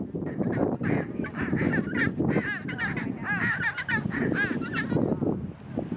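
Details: Chinstrap penguins on Aitcho Island, South Shetlands, where a penguin walks to its nest and a pair greet one another there; harsh, overlapping brays and squawks with rising and falling throaty notes, many birds calling at once over a steady colony din.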